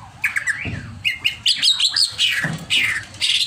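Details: Greater green leafbird singing in an agitated mood: mixed whistles, buzzy high phrases and sharp chirps in quick bursts, with a few low thumps.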